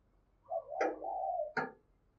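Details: Spotted dove used as a decoy gives a low wavering coo with two sharp clicks or taps through it, over a faint background hum.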